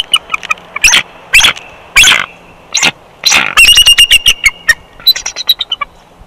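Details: Wild bald eagle pair at their Big Bear Valley nest on a nest cam, 1 March 2021, calling during a nest switch while incubating the second clutch; bursts of rapid, high, staccato chittering notes, then a fast run of piping notes.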